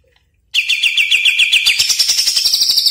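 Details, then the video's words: Caged greater green leafbird in vigorous song, a training and lure recording: after brief quiet, a sudden loud rapid rattle of repeated chipping notes that climbs higher halfway through and keeps going. "Pancingan Dan Masteran Cucak Ijo Gacor Bongkar Isian Mewah Yakin Nyaut | Greater Green Leafbird"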